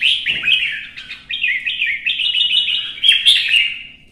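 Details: Red-whiskered bulbul in competitive singing: a continuous string of quick, bouncy whistled notes, phrase after phrase, ending in a higher squeaky flourish that fades out.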